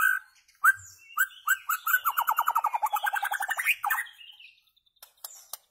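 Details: White-rumped shama singing for goldfinch tutoring: a few whistled notes, then a quick rattling trill that dips and climbs back up, followed by scattered soft high chirps.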